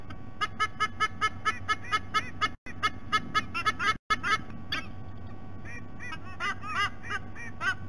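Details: Adult White-bellied sea eagles calling from their nest at Sydney Olympic Park, Australia, recorded by a nest camera: repeated goose-like honks, softer at first, then louder arched notes later, with two brief dropouts and constant low hum.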